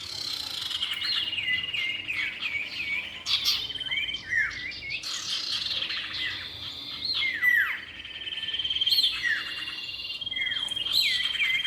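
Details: Common iora, male and female, played as a trapping lure: varied whistled phrases, looping chirps and steep falling notes, continuous and loud with scratchy chatter mixed in.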